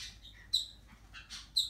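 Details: Four-week-old yellow-chevroned parakeet chick giving short, shrill, high-pitched squeaky chirps in quick bursts, a few notes within under two seconds, close up with faint background hiss.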